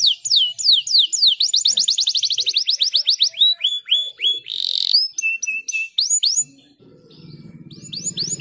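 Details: Singing caged canary, used to stimulate song: rapid series of sweeping whistles that speed into a dense trill, then a buzzy burst, flat whistled notes and curved chirps; low rumbling noise at the end.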